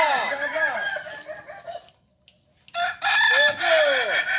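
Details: Kokok Balenggek rooster from Ampang Kualo, Solok, crowing during a practice session: long multi-note crows with rapid stepped syllables, a pause of near silence midway, then another loud tiered crow.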